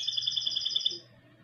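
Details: Goldfinch × canary hybrid singing a rapid, even trill of bright high notes for about one second before stopping abruptly, with a faint low hum underneath.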